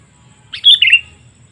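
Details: Sooty-headed bulbul calling to attract wild birds: one quick liquid phrase of a few chirped notes sliding slightly downward, clean and close.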